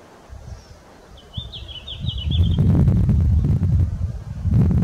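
Red-flanked Bluetail gives one brief, high, fluty phrase of about six quick notes, then loud wind and handling rumble take over.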